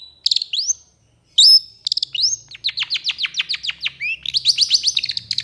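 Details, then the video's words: Long-tailed shrike in long bursting excited song, used to tutor shrikes that have stopped singing. Rising whistled slurs, then a rapid run of descending chirps building into rising whistled notes, with faint low hum. "SUARA PENTET GACOR EMOSI TEMBAKAN PANJANG"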